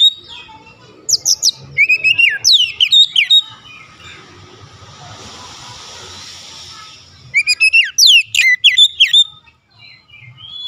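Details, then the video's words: Lure song of an Oriental magpie-robin, meant to stir other magpie-robins to sing: two bursts of sharp, sweeping whistled notes separated by several seconds of steady hissing noise. "PANCINGAN KACER ANTI BISU mancing Kacer lain cepat emosi dan gacor"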